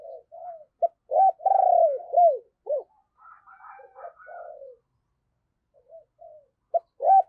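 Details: Spotted dove used as a decoy, singing in the deep 'sấm bầu' style: quiet lead-in coos, a strong drawn-out vibrating coo with two falling notes, a faint chirping bird behind, then fresh short coos.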